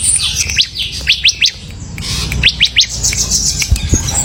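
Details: A ciblek, the bar-winged prinia, sings in bursts of three or four rapid high rising chirps, pausing between groups, with low background rumble and some bright thin notes.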